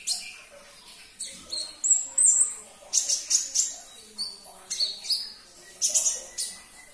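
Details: Konin, a sunbird, singing in a recording meant to make caged birds sing again: lively bursts of piercing high chirps, short whistled notes and fast twitters, repeated in clusters about every half second.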